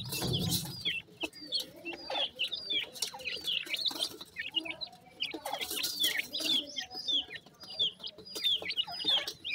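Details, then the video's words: Young Sindhi partridges (teetar chicks) in Pakistan chirp continuously. The sharp, high notes drop in pitch and come in clustered bursts with brief gaps between them. "the melodious voice of a baby sindhi partridge,chicks birds teetar"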